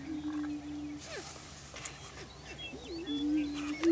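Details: On a Washington County, Kansas lek, greater prairie chickens display for breeding territory: a long low boom at the start, then a pause, then looping whooping cackles leading into another booming note.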